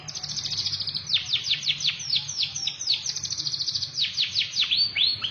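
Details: A canary sings continuously with quick, bright, downward-sweeping whistles strung into rolling trills. The phrases change speed and pitch every second or so, with rapid chattering runs between lower swooping notes.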